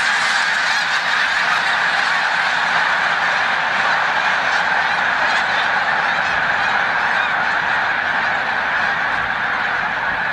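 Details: Migrating snow geese massed at Montezuma, New York, 7 March 2022, near migration peak. Countless overlapping yelping honks form a continuous wall of sound with no pauses.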